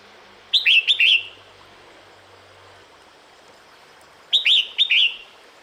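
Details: Female red-whiskered bulbul calling the male in the breeding season: two quick bursts of three clear, bright whistled notes, separated by about four seconds of quiet, with a faint steady hiss behind.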